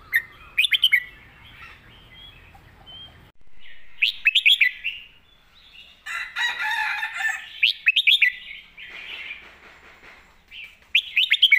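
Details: Red-whiskered bulbul master song, with repeated lively whistled phrases of four or five notes separated by pauses, plus a stretch of dense, overlapping warbling chatter in the middle.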